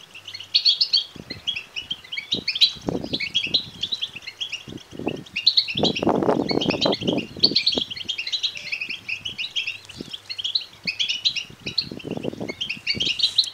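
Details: Begging chatter of European goldfinch chicks, offered to rouse males to sing and mate: continuous high twittering chirps, with repeated dull knocks and a burst of rustling handling noise partway through.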